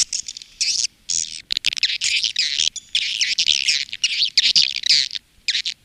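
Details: Swiftlet calling and roosting sound played by swiftlet farmers in Indonesia: dense, buzzy, high twittering in long bursts separated by short gaps, harsh and chattering throughout.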